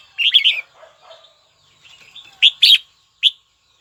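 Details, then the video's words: Red-whiskered bulbul, a kept bird calling a rival as it is fired up. It opens with a loud, fast jumbled warble, goes quiet with soft murmuring, then gives three sharp, bright whistled notes. "Chào mào gọi bổi tố chất nhất"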